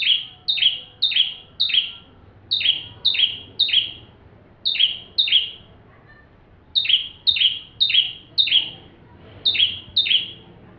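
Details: Bar-winged prinia singing in full, energetic form, suited as a magpie-robin tutor; about seventeen shrill double notes, a whistle dropping into a rasp, in rapid bursts of two to four with brief gaps.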